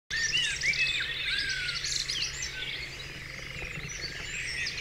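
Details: Many wild birds singing together in the dawn chorus on Dewlands Common: dense overlapping whistles, trills and rising and falling notes, strongest in the first second, over a low steady hum.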